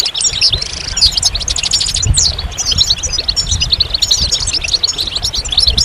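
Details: Goldfinch singing a fast, jangling stream of high twittering notes and short buzzy trills, nearly unbroken throughout, with faint low rumble underneath.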